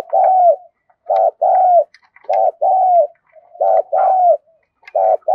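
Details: Spotted dove cooing and crowing, a full calling sequence used to train decoy birds: steady paired coos, a brief note followed by a drawn-out descending one, repeating roughly each second with faint clicks in between.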